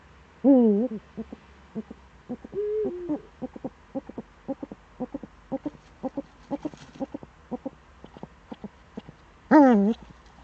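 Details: Eurasian eagle-owl recorded in the Eifel on the morning of 26 September 2013: a loud wavering call opens, then a flat drawn tone, a long run of short rapid clicks and notes, and a final loud wavering call.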